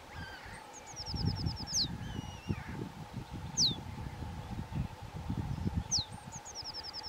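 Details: Two young White-tailed Eagles calling: quick runs of thin, high yelping notes alongside sharp downslurred squeals, all over steady wind and rumbling low noise.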